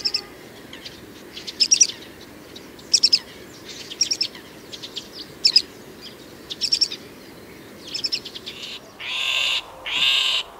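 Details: A male great grey shrike (Lanius excubitor) sings short, high chirping phrases about once a second, then gives two harsh, grating alarm calls; faint background hiss.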